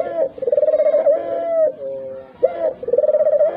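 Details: Cooing dove used to lure others, said to make even mute doves call: a long throaty trill of quick even pulses followed by a fading low note, then a fresh phrase begins with a sharp upward start.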